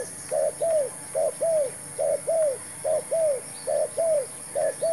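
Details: Spotted dove calling during trapping, with a decoy bird brought in. Mid-pitched curved coos come in twos at a regular pace, roughly one pair per second, against a steady background hiss.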